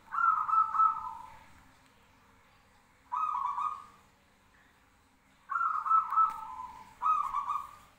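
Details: Zebra doves answering one another: four bouts of rippling trilled cooing, each about a second long, separated by gaps of one to two seconds, in a quiet setting.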